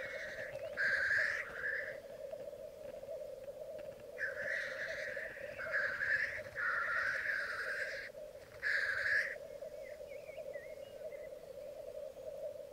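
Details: Black grouse males at a bog lek in Mykland, Norway, May 2022, twelve cocks and two hens attending at morning; constant low bubbling chorus with about six loud hoarse hisses spaced a few seconds apart.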